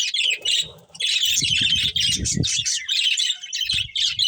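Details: Budgerigars, a breeding pair, chatter in rough high chirps while low rumbling bumps sound beneath the middle stretch.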